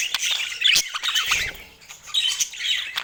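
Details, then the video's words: Budgerigar twittering comes in two main bursts of high squeaks and chirps, separated by a softer lull in the middle. "Dieser Sound macht Wellensittich Vogel verrückt"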